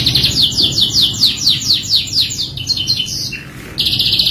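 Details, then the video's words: Canary singing as a lure to prompt other canaries: a fast repeated series of bright descending high notes, about two per second, then a brief dip and a dense sustained high trill. "PANCINGAN KENARI FULL ISIAN | CANARY SINGING"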